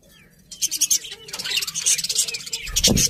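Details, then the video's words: Budgerigar chatter starts after a quiet moment and builds into a quick run of high, squeaky chirps and fluttering twitters, ending with a low knock. "Cute Budgies Chirping Sounds"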